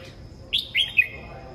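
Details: Red-whiskered bulbul singing in the morning: a short burst of three quick, bright whistled notes, the first sliding up and the last clipped, over a steady faint high hum.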